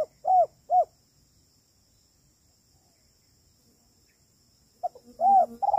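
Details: Spotted dove in kuk 3 style, a lure recording for trapping: two quick low hooted coos, a long silent pause, then another burst of soft coos with a faint lower hum underneath.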